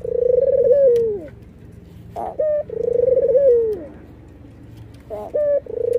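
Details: White red-eyed dove, said to nod and laugh, gives a drawn-out quavering coo sliding downward, then a brief two-part hiccup note, the phrase recurring every few seconds over a faint steady hum.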